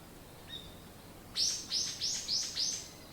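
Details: A morning songbird gives a faint thin note, then five loud, evenly spaced, high sweeping chirps in quick succession, about three per second, against a quiet natural background.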